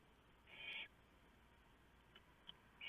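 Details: Barn owls at the nest in the early hours of 3 November 2015 as the male brings a large mouse for the owlets; one harsh hissing screech near the start, then faint clicks and a screech beginning at the end.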